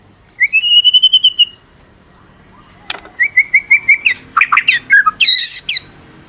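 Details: Stressed white-rumped shama song meant to draw out another bird's full repertoire. A rising trilled whistle series is followed by a loud click, a second quicker chain of short whistles, and a final cluster of high, squeaky notes.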